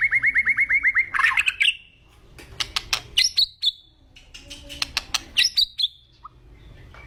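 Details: Agitated white-rumped shama opens with a rapid run of about ten identical short whistled notes. Harsh clicking bursts and buzzy flourishes follow, then brief pauses.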